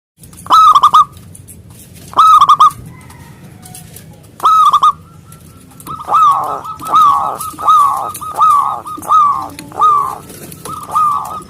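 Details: Local zebra dove with a big voice singing to call rivals, excited and perched high: three loud, clipped bursts of rolling coos, then a steady run of ringing, slurred coo notes about every half second.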